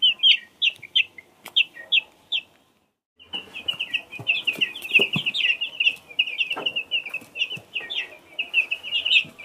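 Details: High, piping peeps from chicks of two kinds: a few spaced downward-slurred cheeps, a brief silent cut, then a busy run of rapid overlapping peeps with light scratching sounds beneath.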